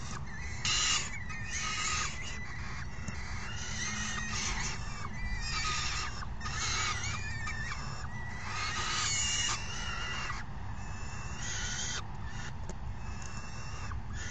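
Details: Falcon chicks begging at the nest on June 3, 2018, as one parent brings in a meal and the other feeds the hungry young: harsh, raspy screeching calls in rapid overlapping bursts, over a steady low rumble.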